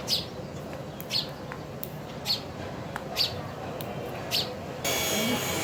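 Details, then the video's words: Sparrow eating food, giving brief high chirps repeated roughly once a second, five in a row, with soft pecking clicks between them and a burst of broadband rustling noise at the end. "Sparrow chirping sound | Sparrow Bird Eating Food"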